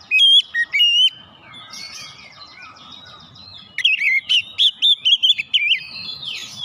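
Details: Caged white-rumped shama song used to provoke other shamas into singing: loud whistled notes near the start, a softer rambling warble, then a fast run of bright, rising and falling whistles with a faint low hum behind.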